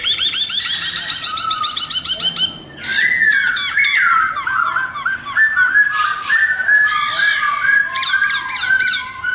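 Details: Laughingthrush (khướu mun) in sustained song: fast repeated chirps, then a cascade of varied whistles, trills and warbles flowing almost without pause.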